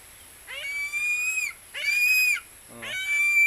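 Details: Philippine eagle calling while said to hunt a barred rail (tikling): drawn-out shrill whistled screams about a second long, each opening with a quick upward slur, repeated with short pauses, a third call starting at the end.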